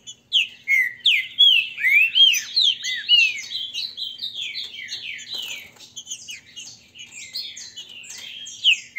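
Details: Captive Green-winged saltators in Brazil singing in a contest between grego mole and boiadeiro song styles, used to warm up birds: loud, rich whistled phrases sliding down and up, overlapping densely and repeated almost continuously.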